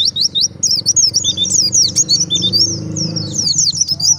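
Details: Wild white-eye singing, used as a lure to provoke other white-eyes to answer: dense, high twittering of quick slurred whistles and chirps, overlapping and continuous, with a faint low engine-like hum underneath.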